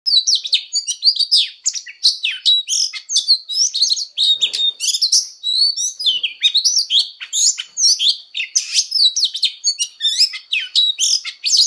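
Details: Oriental magpie-robin giving a fighting song for voice training: a dense, unbroken stream of rich whistles, slurred notes and sharp chirps, fast and varied, with a thin steady high tone running behind.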